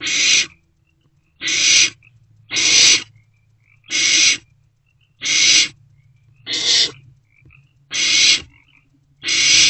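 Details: Barn owl owlet in a nest box at night, 1:22 to 1:30 am, swallowing a newly delivered rodent; harsh hissing screeches about half a second long, repeated roughly every second, with a faint low hum underneath.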